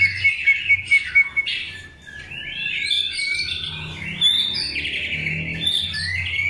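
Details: White-rumped shama, long-tailed form, being paired for breeding: a series of seven sharp repeated whistles, then a brief pause and a dense, buzzy, varied warble rising into high notes.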